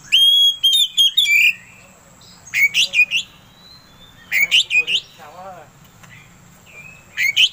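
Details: Oriental magpie-robin song used as a lure to provoke another bird into singing: bursts of sharp whistled and harsh notes, each burst a rapid run of three to five elements, separated by quiet gaps.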